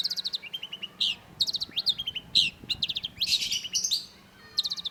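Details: Long-tailed shrike singing vigorously: quick trills of repeated clipped notes alternating with loud, harsh, buzzy chirps and scratchy slurs in a dense, varied stream.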